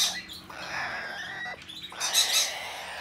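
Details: Hand-tame, domestically bred blue-eyed cockatoo in Japan, recorded 6 December 2019, giving harsh, raspy broadband squawks, one opening burst and a louder screech about two seconds later, with a hoarse fainter sound between.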